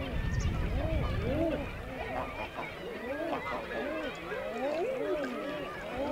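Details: Crooning ah-hoo calls of male common eiders on the sea off the Isle of May, Scotland, several birds at once giving swooping, rising-falling hoots about every half second, over low wash and distant seabird chatter.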